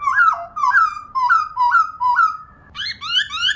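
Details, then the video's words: Female black-throated laughingthrush kept as a cage bird, singing to stimulate other pet birds: clear whistled notes that rise then fall, repeated about twice a second, then a run of higher, faster whistles. "Khướu Mun Mái RO RO VÍP Kích Trống Cực Đỉnh,khướu mun mái rò kích mộc và bổi mở mỏ"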